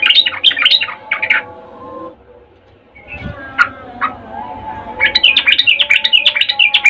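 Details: Mating call of a female sooty-headed bulbul calling for a male: bursts of bright chattering notes, a quieter gap with a single chirp, then a fast run of repeated sharp notes.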